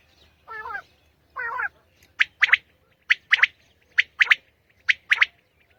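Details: In the early morning in Pakistan, a common quail gives two soft, low, wavering nasal notes, then launches into repeated crisp three-note phrases, each a fast trio of sharp whistled clicks roughly every second.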